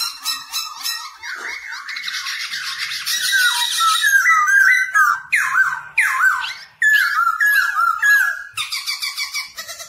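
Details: A black-throated laughingthrush sings loudly and without pause while dancing, in rich, varied phrases of slurred whistles, warbles and quick chattering notes, mid to high in pitch, a recording used to train wild-caught birds to sing.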